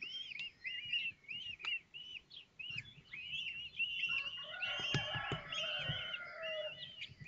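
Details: Nest of common kestrels at Théding during a hatching on 19 May 2024, the older chicks eating: a fast run of arched squeaky calls, about one and a half per second, that swells into a dense chorus with a low hum beneath.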